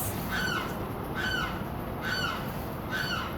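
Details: A neighbouring egret, noisy almost every day, gives harsh, raspy squawks in the morning, repeated about once a second against a steady background hiss.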